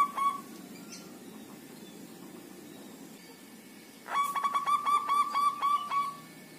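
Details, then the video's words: Local zebra dove kept five days in a shared group cage, singing actively: after quiet background, a burst of about ten rapid, evenly spaced staccato coos at one pitch, lasting around two seconds. "SUARA PERKUTUT LOKAL OMBYOKAN 5 HARI LANGSUNG GACOR"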